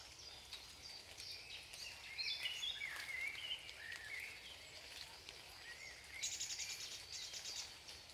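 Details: Nine-day-old song thrush chicks in the nest give thin, high chirps, several overlapping in quick bursts, with a louder flurry near the end over a steady background hiss.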